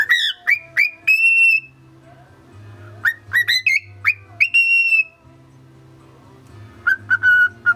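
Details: Pet male cockatiel trying to sing the Mickey Mouse March: clear whistled notes, some rising sharply, others held steady, in short bursts separated by pauses, over a steady low household hum.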